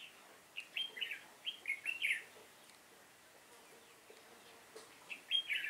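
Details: Red-whiskered bulbul used as a decoy in trapping, 7 September 2018, giving its fighting song: short bright warbled phrases in quick bursts, then a pause and a second burst of sweet, slurred notes.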